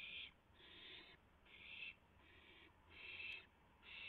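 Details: Owls at the nest around 3:38 AM, April 7, 2016, as a rabbit is delivered and eaten; rasping hiss-like screeches of roughly half a second to a second, coming one after another with short gaps.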